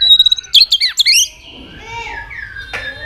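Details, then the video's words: Competitive singing of a white-rumped shama: a high whistled note, then quick descending slurred notes, followed by quieter fading tones and a single sharp click. "kích lửa cho chòe lửa căng lửa. chòe lửa tạch đập liên tục"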